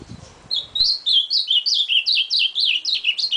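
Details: Ultramarine grosbeak song: a quick run of bright, swooping whistled notes that falls and rises repeatedly for nearly three seconds after a short pause, with a faint thump at the start.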